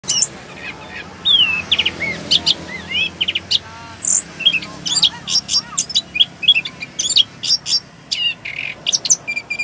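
An orange-headed thrush sings a fast, unbroken run of varied, high whistles, slurs and sharp chips, with phrases changing every second or so.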